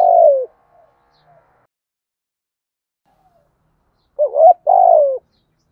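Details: Spotted dove in thúc gù cooing: one falling coo at the start, a long silent gap, then a phrase of a short double hoot and a sustained coo that dips at the end.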